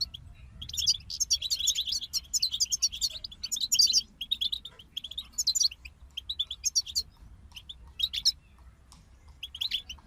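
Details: European goldfinches singing as a group: lively twittering phrases packed with high jingling and buzzy trills for the first few seconds, then sparser chirps and short twitters over a low hum.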